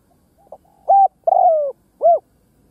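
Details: Lure call of a decoy spotted dove. A soft introductory note, a flat coo, a long downward-gliding coo, then a final arched coo. The phrase is complete and clear against a quiet background.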